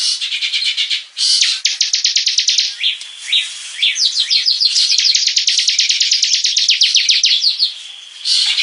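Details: Bar-winged prinia kept as a hobby bird, singing in the energetic 'gacor' style: long runs of rapid, high, downslurred chirps, broken by a brief pause and a few sweeping notes before the fast trill resumes.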